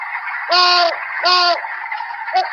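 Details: Great Horned Owl heard in summer, its call likened to "you awake? me too": two deep, even hoots about a second apart, then a short faint note, over steady hiss.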